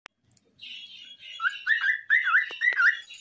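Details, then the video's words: Pet cockatiel singing alongside a green parrot: a soft rising warble leads into loud, wavering whistled notes that bend up and down in quick succession over the last two seconds. "Adorable Cockatiel Singing with Green Parrot"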